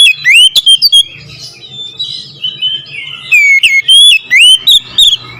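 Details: Oriental magpie-robin singing in the nembak ngerol style: loud, sharp whistled notes rising and falling, delivered in quick bursts with brief pauses, ending with a run of clipped slurred whistles.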